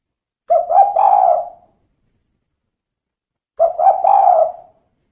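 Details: Female tekukur, or spotted dove, giving its kuk 2 call twice: quick short coos that swell into a sustained warm coo, the phrases three seconds apart, with a clean silent background.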